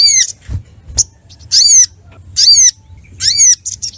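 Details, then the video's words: Ruby-cheeked sunbird (sogok ontong) singing excitedly to challenge rivals: loud, high, buzzy notes that sweep down with harmonics, repeated roughly every second, between soft clicks and a faint low hum. "SOGOK ONTONG | mp3 SUARA GACOR FULL EMOSI CARI LAWAN"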